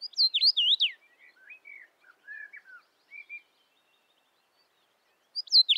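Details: Common rosefinch (Carpodacus erythrinus), song.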